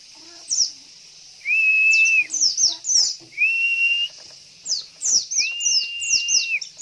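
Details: Javan white-eye female calling to prompt males to answer and sing: three long flat whistles alternating with bursts of sharp, high, descending twitters, all against a constant soft hiss.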